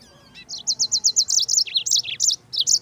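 Yellow-fronted canary singing a fast, high trill of about ten sweet down-slurred notes, then a varied warbled run of higher and lower phrases.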